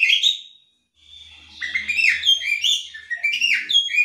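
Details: Female Oriental magpie-robin ngobra call intended to trigger males to call: a descending whistle, a short gap, then a lively burst of jumbled whistled and buzzy notes.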